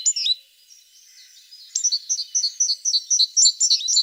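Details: Tit singing a rapid series of bright paired whistled notes about four per second after a short opening chirp, against faint steady background hiss.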